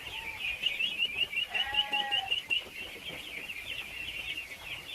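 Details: A large crowd of ducklings, thousands kept together, peeping constantly while being fed their favourite food; dense overlapping high chirps form a continuous shrill chorus, with a few lower squawks in the first seconds.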